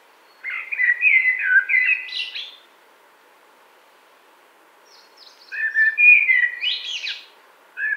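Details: Song of a common blackbird recorded in 2018 near Wittlich: two loud phrases of rich, fluted warbling, each ending in a squeaky high flourish, separated by about three seconds of quiet.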